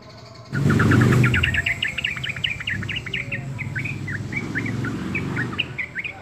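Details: Energetic chirping from a yellow-vented bulbul: about three short notes a second, bright and slurred, running on steadily while a loud low rumble swells at the start and lingers beneath.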